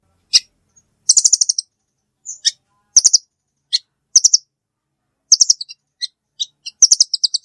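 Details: Velvet-fronted nuthatch: sharp, high chipping notes in quick rattling bursts of four to six, repeated about every second, with single clicks between; no other sounds.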